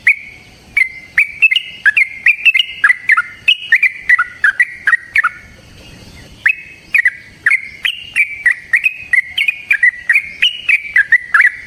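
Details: Yellow-vented bulbul in long, rapid, chatty fighting song used as a lure to rouse other bulbuls: bubbly fluting notes around two kilohertz, each opened by a sharp click, run almost nonstop with one short pause midway.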